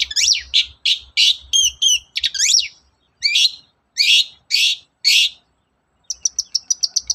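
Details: Long-tailed shrike singing in the morning, used as a lure to make other shrikes sing. Loud, harsh, scratchy bursts and sweeping slurred notes come in quick succession, then a short pause and a rapid chattering run of about eight clipped notes.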